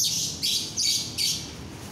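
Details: Lovebird on an overcast day giving four loud, harsh, buzzy high-pitched screeches, roughly one every 0.4 seconds, each slightly downslurred, with a faint low hum underneath.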